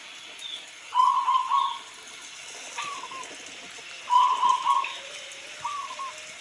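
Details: Local zebra dove, perkutut lokal, singing very clearly: soft, fast trilled cooing phrases followed by a shorter falling note, two phrases a few seconds apart, over a steady rain-like background hiss.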